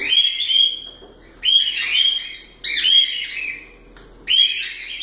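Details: Cockatiel song in four harsh, harmonic phrases, each with a sweeping whistle-like note and buzzy overtones, repeated roughly every 1.4 seconds, with a soft thump before the last.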